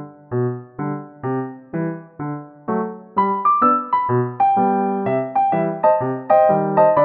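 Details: Piano music plays throughout, a steady run of struck chords and single notes climbing in pitch, with no animal voice heard.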